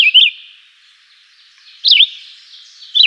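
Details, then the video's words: Chivi Vireo (Vireo chivi, juruviara) singing a simple, melodious song of short, sweet slurred phrases that rise and fall, one about every one and a half seconds, with long pauses between. "Canto simples e melodioso da JURUVIARA, Vireo chivi, Chivi Vireo"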